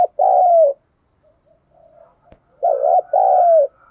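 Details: Lure spotted dove kept by a bird enthusiast repeating its two-note coo twice, a wavy opening note and a long falling one, with faint soft notes and a click between.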